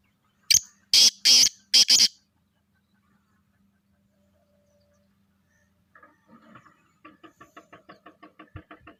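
Black francolin giving four loud, harsh, grating notes in quick succession, followed after a pause by a softer rapid series of clicking notes.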